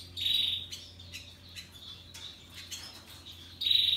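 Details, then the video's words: Russian yellow and Timbrado canaries singing happily: a loud bright trilled burst, softer scattered chirps and twitters, then another loud rapid trill at the end. "Canaries Paradise Song Sound"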